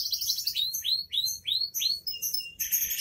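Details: Canary singing 'gacor dor': a fast opening trill, then about seven evenly spaced falling slurred notes roughly every third of a second, ending in a thin whistle and harsh burst, over a low hum.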